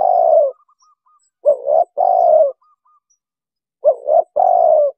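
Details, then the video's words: Spotted dove, a recording used as a trapping lure for wild birds: repeated two-part coos, a quick rising double note followed by a longer level coo, recurring about every two seconds, with faint high chirps between. "MP3nya Para Pemikat Burung Tekukur"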